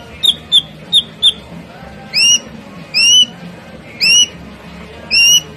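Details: Ashy drongo, a bird said to be skilled at mimicking sounds, singing: four short high piping notes, then loud rich whistles that rise steeply, repeated roughly once a second.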